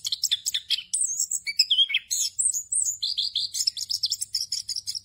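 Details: Orange-headed thrush singing 'ngerol' with many fill-in phrases, intended to teach raw thrushes to sing: a burst of rapid chirps, a few long high whistles, then a fast rhythmic series of repeated sharp notes.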